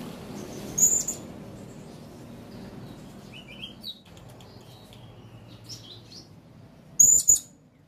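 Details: Blue-crowned hanging parrot calling: a thin, piercing high squeak, softer chirps of other birds in between, then a louder doubled squeak about six seconds later; low background hum.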